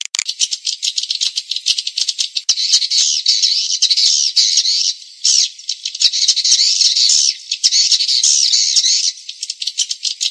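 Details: Swiftlets in a dense, continuous chorus of high, buzzy, rapid chattering twitters, pulsing in waves with only brief gaps, shared as a lure call for swiftlet farmers.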